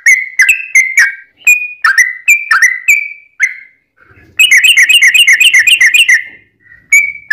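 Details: Sooty-headed bulbul singing gacor, long 'ropel' style, played to lure other bulbuls into singing back: separate bright, bubbly whistled notes, a short gap, then a fast rolling burst of rich chattering notes and one final note.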